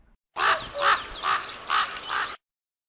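A raven gives about five harsh, hoarse croaks in quick succession, roughly two per second, with nothing else heard around them.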